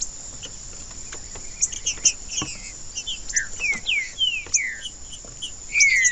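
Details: Song of a green-winged saltator meant to excite a caged bird: scattered chirps build into clear, downward-sliding whistles that grow louder toward the end, over a steady high-pitched background hiss.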